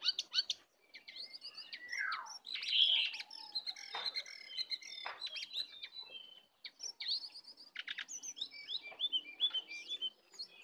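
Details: Sooty-headed bulbul in a fierce singing duel between a wild bird and a caged bird, full of 'isian' fill phrases; varied high whistles, slurred notes and short chattering bursts, with a falling downslurred note near the start and brief pauses.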